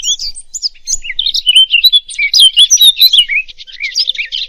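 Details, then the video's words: Song of a European robin, a dense run of high, liquid whistled phrases and quick twitters that shift in pitch without pause, briefly softening near the end. "أجمل تغريد لطائر الدخل"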